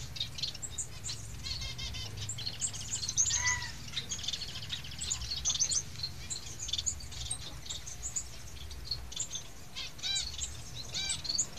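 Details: Society finch chicks: dense, rapid high chirping and trilled notes, overlapping almost continuously, with some rising-falling whistled notes around the third second, over a steady low hum.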